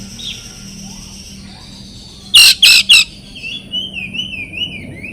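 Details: Oriental magpie-robin song meant to get silent birds singing: faint thin whistles, three loud harsh rasping bursts, then a gentle undulating whistled phrase.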